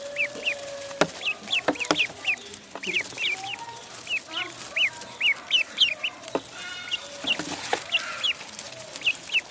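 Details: Pond duckling calling in a stream of thin, high, down-curving peeps, several per second in loose bursts, with sharp clicks and knocks scattered through.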